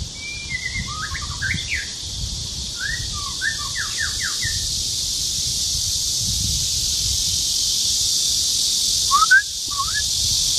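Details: Male white-rumped shama singing at Louedishan Nature Park, Mituo, Kaohsiung, 13 June 2018 around 12:11, recorded on a Canon PowerShot SX720 HS: rapid varied phrases of sliding whistled notes, then a short gap and a few more notes, over a steady high insect drone.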